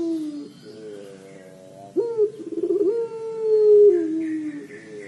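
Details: Puter pelung collared dove giving its 'crying' call: low, drawn-out tones that slide down, then a sharp rise into a long sustained note that slowly falls away.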